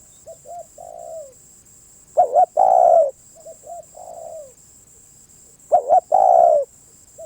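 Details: Spotted dove cooing: two loud phrases, each a quick double coo followed by a long, slightly falling coo, with softer, more distant coos between them and a steady high-pitched whine throughout.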